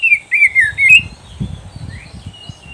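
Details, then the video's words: Training recording of oriental magpie-robin song: a brief series of loud, slurred whistles in the first second, followed by a faint rising note and soft low knocking. "SUARA KICAUAN BURUNG KACER TERBAIK"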